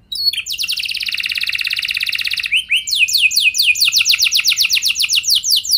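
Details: Singing canary, recorded to prompt other canaries to join in; a buzzy rapid rattle lasting about two seconds, followed by a run of loud downward-slurred whistles repeated several times a second.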